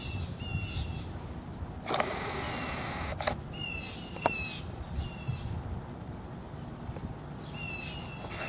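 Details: Northern Mockingbirds in a Texas front yard give harsh, scolding chat notes in scattered bursts with some higher whistled notes, over a low outdoor rumble. They are reacting to a dead rattlesnake, killed beside their nest of young.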